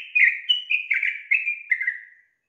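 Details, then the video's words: Female yellow-vented bulbul calling the male, a rapid bubbly string of about six liquid chirps, each slurring downward, delivered without pause over two seconds in clean quiet surroundings. "PANCINGAN TRUCUK BETINA MEMANCING JANTAN AGAR IKUTAN GACOR"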